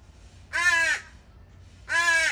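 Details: Two prolonged, buzzy, harsh caws from begging juvenile crows at a feeding spot, left there in the morning by their families; the second call runs to the end.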